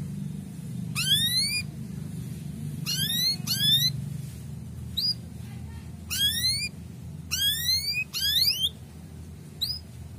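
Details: Cuit-cuit chirps of a male canary, used to raise breeding condition in young birds: about ten quick rising notes, some doubled in fast pairs, spread irregularly over a constant low background hum.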